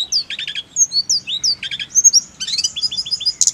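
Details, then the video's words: Snowy-browed flycatcher song for bird-singing therapy: high downslurred whistles alternate with short rattling buzzes, repeated twice, followed by a jumbled chatter and a final bright burst. "TERAPI TLEDEKAN GUNUNG AGAR CEPAT GACOR NGEROLL"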